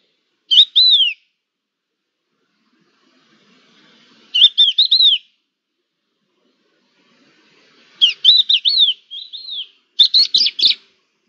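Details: Crested larks exchanging calls on 11 October 2021: clear whistled phrases, sliding and slurred, delivered in short bursts about every three to four seconds with silent pauses between, no other sounds intruding.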